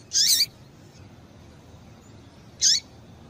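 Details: A female Double-collared Seedeater (Sporophila caerulescens) gives two brief, thin, high downslurred calls about two and a half seconds apart over a faint hiss, used to stimulate male seedeaters to sing.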